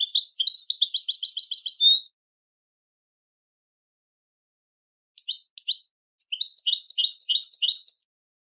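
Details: Goldfinch song with a cheerful, melodic character, given as bursts of rapid high twittering notes: a two-second phrase, a pause, then two short chirps and a longer tumbling twitter ending near eight seconds. Clean background, no other sounds.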